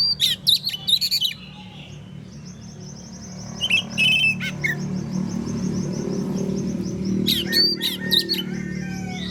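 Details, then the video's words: Oriental magpie-robin singing in the morning, a song meant to make other magpie-robins answer; three bursts of loud, sharp whistled and rattling notes at the start, middle and end, with faint background chirping and a low hum. "KACER gacor NGEPLONG di pagi hari BUAT KACER lain NYAUT"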